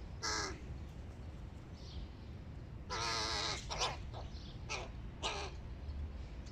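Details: Hooded crow chicks begging at breakfast: scattered harsh caws, one long wavering rasping call in the middle, then shorter calls, with quiet gaps and low rumbling background.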